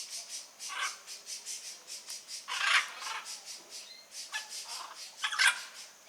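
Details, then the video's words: Blue-and-yellow macaw calling in the wild: grating, hoarse squawks, two louder ones standing out among softer rasping notes, against a fast, rhythmic, high-pitched pulsing background. "Arara Canindé na natureza"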